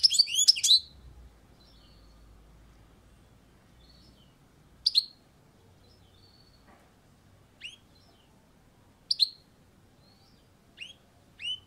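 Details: European goldfinch on a balcony, a tight cluster of sharp twittering notes opening the stretch, followed by scattered single high chirps every couple of seconds with quiet gaps between.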